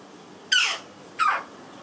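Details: A young jackdaw about 3 months old, still beak-fed meat by hand, gives two short, harsh squealing calls about 0.7 seconds apart, each dropping in pitch, in an otherwise quiet room.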